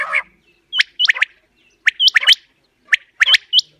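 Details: Hunting-lure recording of quail: clusters of two or three sharp, upward-hooked whistles, repeated about every second after one harsh opening squawk.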